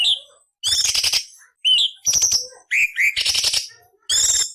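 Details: Rough, varied song of a cucak cungkok, used to tutor other songbirds: a rising whistle, then harsh scratchy bursts alternating with paired upslurred whistles, five loud phrases with short gaps.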